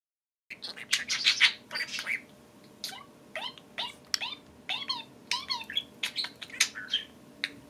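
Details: Two pet budgerigars chattering together indoors over an iPhone: continuous warbling made of rapid squeaks, chirps and down-slurred whistled notes, dense and lively throughout after a brief silent start.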